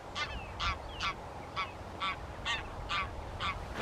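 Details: Tundra bean goose at Wimpole Hall, Cambridgeshire, on 17 December 2020, giving a steady series of about eight short, nasal, harmonic honks, roughly two per second, over a low background rumble.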